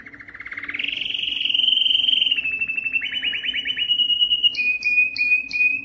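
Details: Belgian canary song meant to attract breeding females: a rolling trill rising and flattening into a steady whistle, then a pulsed trill and a series of short paired chirps at the end.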